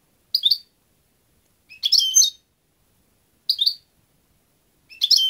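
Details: European goldfinch giving four brief, high chirpy phrases at irregular intervals, each a tight tumble of tinkling notes, with nothing else audible.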